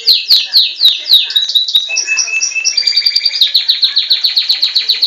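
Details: Captive Belgian canary: loud downslurred notes in quick series, a short flat whistle, then a long rapid trill of evenly repeated high notes.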